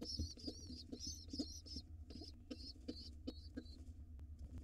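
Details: Nest-box pigeon chicks getting a late feed before dark: a cluster of quick shrill squealing peeps, then sparser single squeaks, accompanied by knocks, shuffling thuds and a droning low hum.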